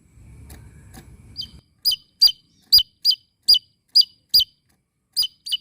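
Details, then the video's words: Small bird calling between dance moves: a low rumble at first, then a series of clear, sharp downslurred chirps roughly every half second. "BURUNG KECIL ..KERENNN...GACOR LANTANG..NGOCEH SAMBIL JOGET"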